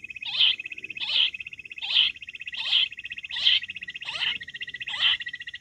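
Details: Wild quail, recorded for hunting: loud, buzzy notes repeated evenly about every 0.8 seconds, layered over a steady high pulsing trill.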